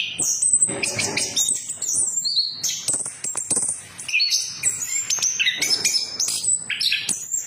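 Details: Orange-headed thrush lure song for birds that stop singing: fast jumbled sequence of high chirps, buzzy notes and short whistles, changing pitch constantly, with a faint hum beneath.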